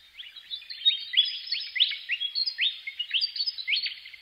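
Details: Willie wagtail keeps up an unbroken stream of crisp rising whistled notes, roughly three or four a second, at an even volume throughout.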